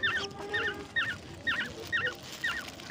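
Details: Baby birds, Holdi Pakhi and Kokil pakhi, hand-fed grasshoppers at night in a home: thin, wavering double-note cheeps repeated about every half second, with a soft person's voice nearby.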